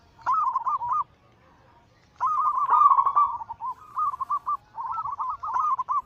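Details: Perkutut, or zebra dove, singing anggungan-style as a lure to spur other doves: four rapid, trilled cooing phrases of steady mid pitch, the first set apart by a silent gap, the rest nearly continuous.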